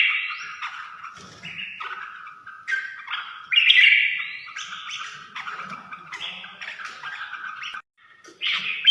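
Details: Red-whiskered bulbul song of rapid, varied whistled notes. The short phrases jump up and down in pitch, with a few squeaky chirps among them. One louder, richer phrase stands out midway.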